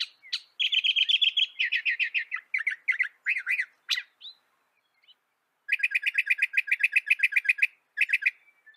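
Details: A northern mockingbird (Mimus polyglottos) delivers a varied song: a fast run of harsh, repeated notes, a pause, then a long rattling series of sharp, rhythmic chips and a final short burst.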